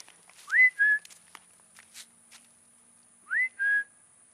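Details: A peacock being fed on a roof gives two loud two-part calls, each a sharp rising note followed by a steady held tone, about three seconds apart; faint background clicks.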